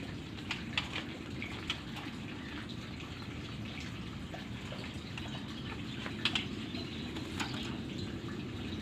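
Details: Running water hisses indoors while scattered drips and splashes tap out irregularly.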